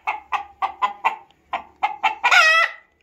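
A chicken gives about eight quick, harsh clucks, roughly four a second, ending in a louder drawn-out squawk.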